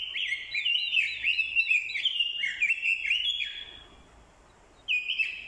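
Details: Orange-headed thrush, a captive decoy bird, giving fighting song provoked by a female's call: rich, varied whistled phrases that slide up and down in quick succession, then fade to near silence before a fresh loud burst.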